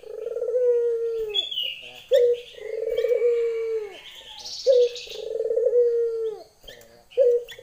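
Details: Female Barbary dove calls a male with steady repeats of a short accented note and a drawn-out purring coo. Scattered high chirps and twitters from other birds run in the background.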